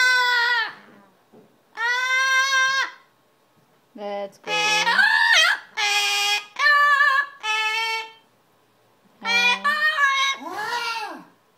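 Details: A male Magna double yellow-headed amazon parrot, happy after his bath and singing until dry, gives drawn-out, tonal, almost human-sounding phrases about a second long, some swooping up and down, echoing in a small room.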